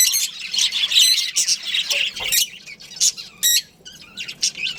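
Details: Budgies in a colony including a breeding pair: rapid scratchy chatter, then separate sharp squawks and short rising chirps that come in bursts with small gaps between them.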